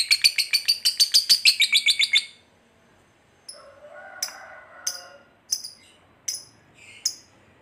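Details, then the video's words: Fighter lovebird giving a long ngekek trill, used as a lure to provoke another lovebird into anger and attack: a fast run of sharp, high chattering pulses for about two seconds, then silence and scattered single chirps. "SUARA BURUNG LOVEBIRD NGETIK NGEKEK PANJANG"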